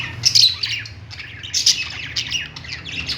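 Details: Several budgerigars singing on a perch in a pet store: busy, overlapping high chattering chirps and scratchy warbles, with quick squawky notes rising and falling continuously and a low room hum beneath.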